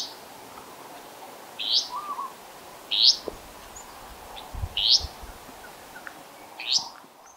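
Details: Restless flycatcher, one of two foraging birds, at Monarto Woodlands, South Australia, on 26 July 2020, gives short, high, rising notes with a slightly rasping edge, about one every two seconds; a faint lower note and soft thumps are also heard.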